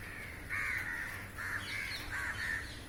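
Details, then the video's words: Crows in a big flock, flying and hunting flying insects over a rooftop, give a run of rough, nasal caws in three overlapping bursts with a steady background hiss. "烏鴉叫聲音效 😱屋頂上排成一列好嚇人! Crows Calling and Feeding"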